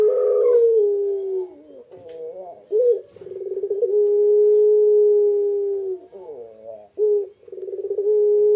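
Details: Incubating Barbary dove, known as puter pelung, cooing persistently while sitting on eggs; a short opening note and a rolling stutter lead into a long level hum held for about two seconds, then the pattern starts again.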